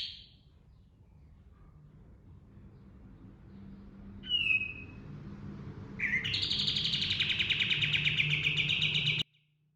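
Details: Pied triller rolling song: a trill fragment, a quiet pause with a soft note, a sharp falling whistle, then a rising note leading into a long rapid buzzy trill of about three seconds, with low hum behind.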